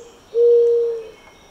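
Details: Single sustained low coo from a Streptopelia dove, held at one even pitch for under a second before fading out.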